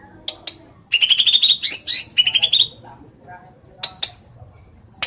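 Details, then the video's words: Greater green leafbird kept in Kelangdepok, Comal, Pemalang, Central Java, Indonesia, singing rapid rattling trilled phrases of high, slightly rising notes, two long runs broken by a brief pause, with sharp single chirps before and after. "Cucak ijo"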